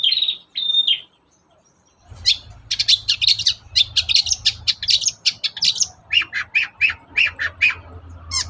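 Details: Long-tailed shrike's vigorous morning song, played to get other shrikes singing: two strained notes, a two-second gap, then a fast, continuous chatter of harsh, scratchy high notes with a low rumbling hum underneath.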